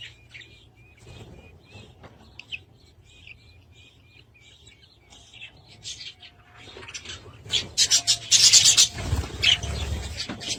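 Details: Budgerigars give short, thin whistled notes repeated quickly at a fairly even pitch, then break into a loud, harsh burst of scratchy chatter toward the end.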